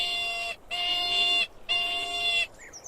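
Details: A crested caracara repeats a raspy, drawn-out scraping call twice. Each call lasts nearly a second, with a short pause between them, and the tone stays steady and harsh throughout.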